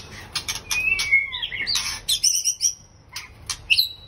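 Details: Caged breeding pair of white-rumped shamas: clear whistled notes and sliding phrases mixed with sharp chirps and clicks, a bright high trill near the end, rapid varied delivery.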